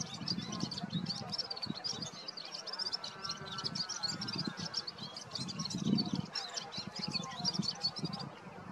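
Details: Red-fronted serin song recorded in March: a fast, high, jingling twitter running continuously, with low murmuring voices underneath.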